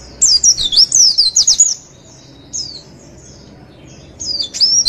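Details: Javan white-eye song used for training other birds, a rapid run of high thin twittering notes sliding up and down, then a pause, then shorter high twitters.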